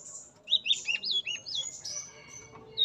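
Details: Male sikatan emas (yellow-rumped flycatcher), tame and in a breeding cage: clear, high whistled notes, each bending up then down, delivered in a quick string of about eight.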